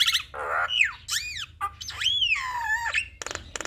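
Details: Javan myna singing a varied model song: a nasal harmonic squawk, loud arched whistles, a long sweeping slurred whistle falling away, and closing harsh rasping bursts.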